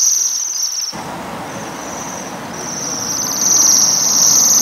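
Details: Bohemian waxwings feeding on rowan berries give their very high, thin, metallic bell-like trills, a steady shimmering sirrr that briefly breaks off, over rushing background noise.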